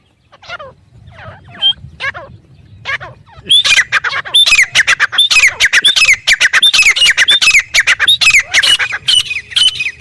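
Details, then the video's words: Wild francolin (teetar) in a desert area: a few soft, wavering notes, then an outburst of loud, harsh, squawking calls rapidly repeated and overlapping for several seconds. "Desert Teetar | خوبصورت تیتر کی قدرتی آواز"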